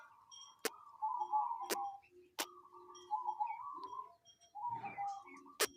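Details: Local zebra dove with an unusual call: stretches of fast, quavering trilled cooing at a middle pitch, broken by short pauses and punctuated by loud, sharp clicks every second or so.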